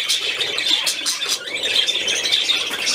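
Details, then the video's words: Budgerigar at play, 13 December 2019, giving fast, high, scratchy chatter with pulsing squeaks and short rising chirps, unbroken from start to finish. "Der Wellispielfilm"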